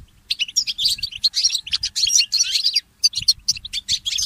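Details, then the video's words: Mule goldfinch, a goldfinch hybrid, singing at morning: dense chattering twitters and short trilled phrases, one brief pause midway, then crisp chirps resume. "The inspiring Motif of the Mule Goldfinch"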